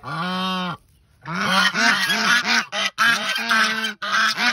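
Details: Brooding goose on eggs lets out a long, steady nasal honk, then after a short silence a rapid run of harsh, rising-and-falling honks, about ten in four seconds, loud and close.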